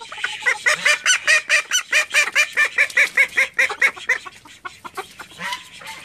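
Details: Call ducks, a flock of thirteen kept at home: a rapid run of loud, nasal quacks, about two every second and fairly steady, dropping away and faltering near the end.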